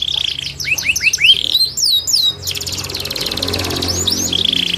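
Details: Canary from Rembang singing a varied, high song: rapid falling whistled sweeps, then a fast buzzy trill and more descending slurred notes, with a low background hum.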